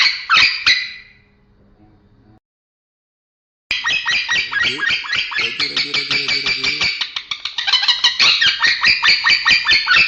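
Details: Male lovebird making strange, unclear sounds; dense, squeaky, buzzy chattering with rapid rhythmic chirps about twice a second, a brief silent gap, then continuous harsh twittering.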